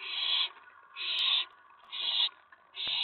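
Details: Owlet calling from inside a nest box around 10:54 PM, May 19 2017, excited when an owl arrives at the tray; long, breathy screech-hisses, nearly half a second each, repeated with short gaps.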